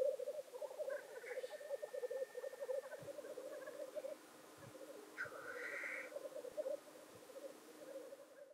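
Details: Black grouse display at their traditional lek near Llandegla Forest and World's End, North Wales, on 25 February 2019. A steady, low, dove-like bubbling rookoo runs throughout, broken twice by harsh, wheezy hissing sneezes.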